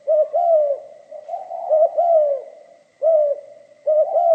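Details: Low, rounded coos from a spotted dove singing 'giọng pha kim' style, a quick two-note stutter then a sustained sliding coo, phrases packed close together with a short pause near the end and a faint high whine underneath.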